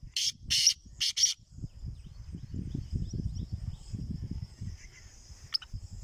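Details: Captive black francolin (kala teetar) giving two loud pairs of harsh, rasping broadband notes in the first second and a half, then quiet with low rumbling background noise and a faint steady high hiss.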